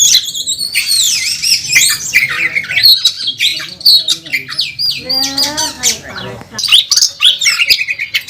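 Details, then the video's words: Champion Oriental magpie-robin at a bird contest, singing hard in fighting mode with a rich mimicry repertoire: rapid sweeping whistles, rising and falling slurs and scratchy chatter packed tightly together, with a descending buzzy run midway. "Burung Kacer Tarung Ngobra ngotot saat di trek | kacer juara 1 nasional | Kacer gacor full isian"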